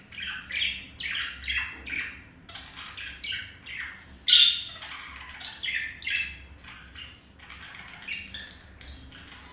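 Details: Male budgerigar courting a female: a string of short harsh squawks and chirps in quick clusters, one louder sharp squeak midway, then softer chatter fading toward the end.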